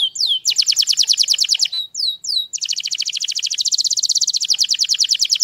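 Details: Canary in powerful song: a long, very fast trill of bright high notes broken by a few swooping slurs and a brief pause, then a sustained rattling roll that continues to the end.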